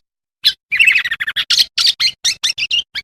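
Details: Sooty-headed bulbul in vigorous chattering song, used as a lure for wild bulbuls. After one sharp note comes a fast, harsh, buzzy jumble of tumbling notes that becomes a run of strong chips, slightly rough in tone.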